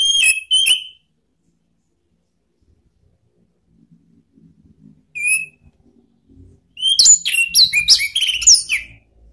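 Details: Orange-headed thrush calling to goad rival birds into full song. Two sharp notes open the recording, then a lone clipped note after a quiet stretch, then a rapid two-second burst of varied, squeaky, down-slurred notes.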